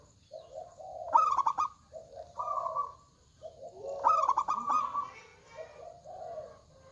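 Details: Big-voiced local zebra dove in active song: low murmured coos alternate with higher held notes and two sharp, rapidly pulsed stuttering bursts, the pattern roughly repeating.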